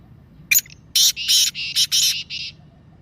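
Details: Black francolin calling voice: a loud, rapid series of harsh, grating, buzzy notes, starting with a sharp click and ending in a softer trailing note, intended to set silent pet Teetar calling.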